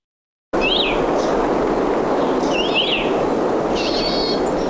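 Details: Song of a Cassin's finch from Santa Barbara County, California: three short, high, warbling phrases with quick up-and-down slurs over a steady broad hiss.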